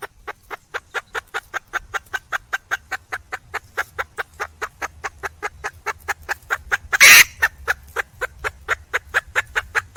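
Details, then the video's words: Female red junglefowl calling to find a mate, giving a long steady run of quick, evenly spaced clucks, four or five per second, broken by one loud harsh squawk before the clucking resumes. "le bruit d'une poule sauvage,เสียงไก่ป่าร้องหาถู่หาตัวผู้,ສຽງໄກ່ປ່າຮ້ອງຫາຄູ່ຮັກ, poj qaib qus see"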